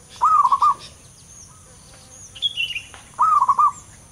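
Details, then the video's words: Wild local zebra dove singing its rolling, bubbly coo phrase twice, about three seconds apart. Other birds give thin whistles in between, and a constant high insect drone runs throughout. "perkutut lokal alam liar suara tebal istimewa"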